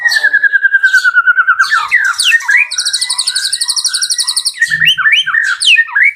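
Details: Vigorous song of a farm-kept White-rumped shama: a long falling whistle, then fast trills and a buzzy, high, evenly repeated rattle, followed by bright looping whistled phrases.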